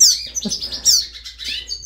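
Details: A captive young Venezuelan siskin gives thin, high chirps in quick bursts, begging food from its keeper. Its mother died and its foster female feeds it little, so it treats the keeper as its mother.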